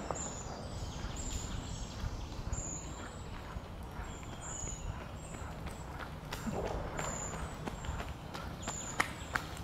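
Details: Short-toed treecreeper young waiting to be fed give thin, very high, short squeaks, about one each second, over low rumbling background noise and scattered footstep-like knocks.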